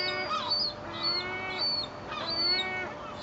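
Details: Seagulls at Fleetwood Docks, fed half a loaf of bread on a sunny day, 7/8/2012, repeat nasal, falling squealing cries roughly every half second, several birds calling over one another.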